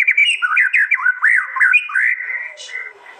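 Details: White-rumped shama (Copsychus malabaricus) from East Java, in aggressive contest-style song: a fast, rich run of looping whistled phrases that swoop up and down, ending in a steady held note.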